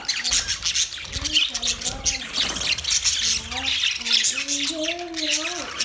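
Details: Dense budgie chatter of rapid scratchy chirps and squawks, overlaid by low wavering tonal notes that sweep upward and level off.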